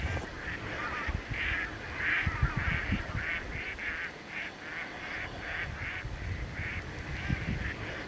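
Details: Wild Greater White-fronted Geese in a large flock, about 97% white-fronts with some Snow Geese mixed in, at North Ottawa Impoundment, Grant County, western Minnesota, in early April. Distant, high yelping calls in steady overlapping bursts over low wind rumble.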